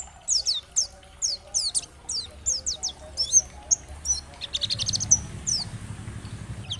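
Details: Slightly softer 'dakbal' oriental white-eye tutor song used to encourage other white-eyes to sing. Evenly spaced high, downslurred chirps, then a quicker jumbled flurry of notes over a low rumbling background.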